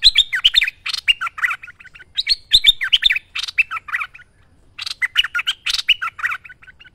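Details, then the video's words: Vigorous bulbul song recorded as a master for training other birds: repeated phrases of mixed chirps, slurred whistles and short stuttered notes, each bout about two seconds, separated by brief pauses. "Merbah Lekir Gacor Masteran Terbaik"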